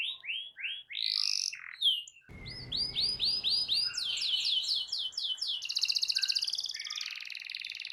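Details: Canary singing to stimulate a silent bird to join in: rapid rolling trills of repeated upswept notes, a few louder whistles, then a long fast buzzing roll near the end.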